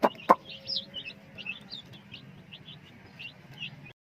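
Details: Coloured chicks chirping steadily, a flock of high, short peeps rising and falling in quick succession, with two sharp knocks near the start.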